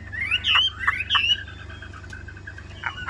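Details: Caged yellow-billed Chinese hwamei, about 85 to 90 percent tame, singing in the rain with wet feathers. Loud whistled upslurs repeated a few times, then softer short notes.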